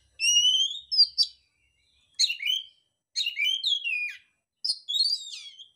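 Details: Oriental magpie-robin in contest song: four separate bursts of loud whistled and warbled notes, some sliding down, others looping, with clean quiet gaps between phrases.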